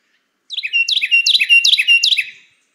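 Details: A Carolina Wren, likely a male since usually only males sing this, sings its loud, rolling rapid three-part song of about five notes with bright falling slurs, in just under two seconds, against a quiet background.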